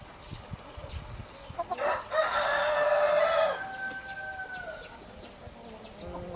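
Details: Rooster crowing at moderate distance, a raspy burst flowing into a drawn-out held tone that fades, with scattered clucks and farmyard noise around it.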